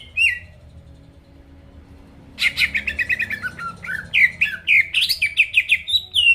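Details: Greater green leafbird song meant to provoke rivals: one brief note, two seconds of quiet, then an energetic stream of rapid chattering chirps and looping whistled phrases.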